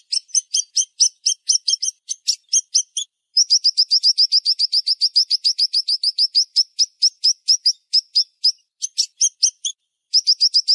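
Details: Siri-siri bird song in sharp, rapid shots: spaced high chirps giving way to a long, very fast even string of notes, then a few more bursts.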